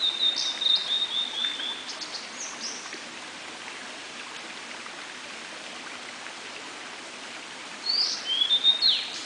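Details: Blue-and-white flycatcher singing early in the morning in a dark forest: clear whistled phrases, high and slightly descending, one opening the recording and another near the end, with a quiet gap between. A steady rush of flowing water continues throughout.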